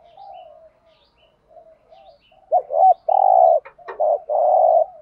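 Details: Spotted dove in 'thúc gù' cooing style with the native field-dove voice. Soft, quiet coos give way to loud, abrupt, clipped notes and then two sustained level coos.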